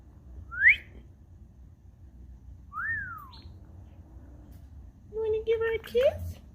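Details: Indoor pet Indian ringneck parakeet whistles: a quick rising note, a pause, then a longer arched whistle sliding down, followed by a harsher, buzzier burst of calls near the end over faint room hum.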